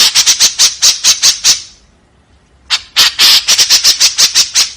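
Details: Harsh 'tembakan kasar' calling of a white-breasted woodswallow: a fast run of rasping notes, a pause of about a second, then another rapid burst of grating notes.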